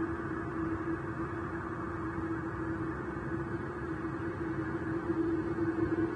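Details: Only a constant low hum and soft rumbling background noise, growing slightly louder near the end, with no animal voice.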